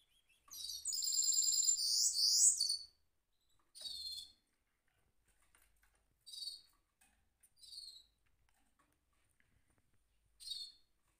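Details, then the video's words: Caged goldfinch mule gives one loud, rolling burst of twittered trills, then falls to a few short, spaced chirps amid near silence. "mule goldfinch rolling on cage"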